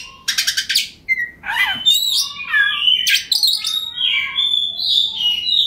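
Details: Oriental magpie-robin, local name kacer, singing constantly with ngobra display, meant to trigger other kacer: a harsh rattle, short whistles, then a run of varied slurred whistles and buzzy notes over a faint low murmur.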